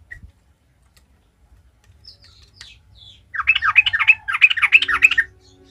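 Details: Trucukan, the sooty-headed bulbul, singing its lively 'gacor ngalas' style meant to provoke other bulbuls: near-silence with faint whistles at first, then two dense, rapid bubbling phrases over a low steady hum.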